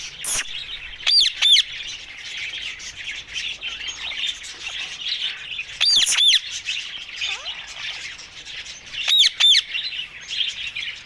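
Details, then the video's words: Green ringneck parakeets: loud, sharp, harmonic screeches in short bursts of two or three, repeated at intervals, over a continuous chorus of high chirping from many birds. "Talking Green Fanny Ringneck Mitthu Parrots"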